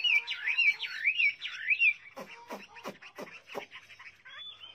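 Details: Chinese hwamei warbling a rapid looping whistled phrase for about two seconds, followed by several sharp, broad clicking sounds at a slower pace.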